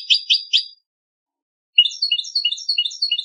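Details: Song of a European goldfinch prepared for a singing contest: three quick twittered notes, a short silence, then a fast series of bright, tinkling, descending chirps repeated in close rhythm.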